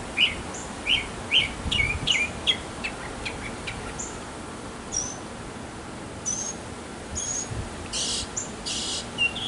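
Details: Backyard mockingbird, a male courting a female, sings a varied medley: quick chirps at first, then sparse high whistled slurs and two harsh, noisy bursts near the end.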